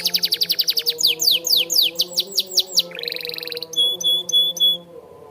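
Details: Canary singing actively as a training song: a fast trill, a run of down-slurred whistles, a short buzzy band, then a few evenly spaced pure high notes before a near-silent end.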